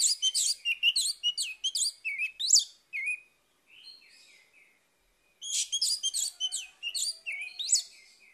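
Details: Orange-headed thrush singing in the morning, a recording meant to prompt a stalled bird into song: two bursts of rapid, varied high whistled and chirping notes, with a pause of about two seconds between them and faint soft notes in the gap.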